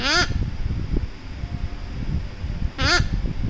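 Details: Severe Macaw held close during a cuddle, calling a brief grating squawk at the start and another near the end, both wobbly and nasal, with muffled thumps and rustling in between.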